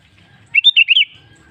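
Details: Lively song phrase of a sooty-headed bulbul (kutilang), used as a lure to prompt other bulbuls to sing: five rapid, liquid, bouncing whistled notes in under a second, with low background hum before and after.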